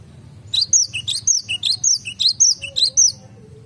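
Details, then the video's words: Cinereous tit in a garden giving a cute-sounding song of quick three-note whistled phrases, each a rising note, a high falling note and a lower note, repeated steadily for about three seconds over a soft low hum. "BURUNG GELATIK BATU SUARA IMUT DI KEBUN.."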